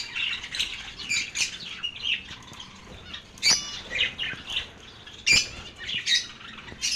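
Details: Lovebird chatter: scratchy squawks and sharp chirps in uneven bursts, several overlapping, with a few louder shrill notes standing out.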